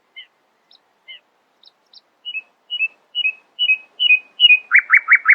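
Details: Nightingale singing in the early morning: spaced high double notes, then a crescendo of repeated slurred whistles ending in a loud, buzzy, rapid series of harsh notes.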